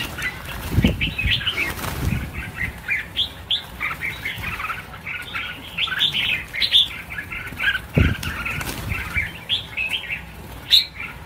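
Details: Red-whiskered bulbuls, a large number being released in Vietnam: many birds chattering at once in a dense, overlapping stream of bright, warbled, chirpy phrases, with thumps and wing flapping and a low rumble in the background.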